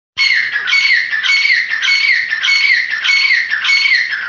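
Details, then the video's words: A grey francolin gives loud, shrill, grating phrases, repeated steadily about every half second with no pause between them. "Grey Francolin Nature voice|Teetar Awaz"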